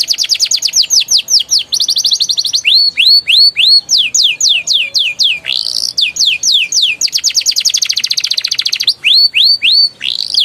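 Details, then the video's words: Canary song used as a prompt for young canaries, ngeriwik and ngeroll style: long continuous phrases of falling sweeps, upward-hooked whistles and dense rattling rolls, loud and fast throughout. "PANCINGAN KENARI PAUD NGERIWIK NGEROLL GACOR EMOSI EFEKTIF UNTUK TERAPI KENARI MACET BUNYI"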